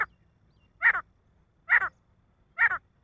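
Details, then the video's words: Male grey francolin calling in paired harsh, buzzy notes, each double phrase repeated about every 0.9 seconds over a soft low background. "nar teetar ki awaaz titar ki awaaj partridge sound"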